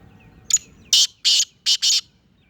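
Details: Black francolin of the Sindhi type called Chirnga teetar, from Sindh or Punjab, Pakistan: one sharp opening note followed by four harsh, grating, buzzy notes, the last two close together, over a quiet background.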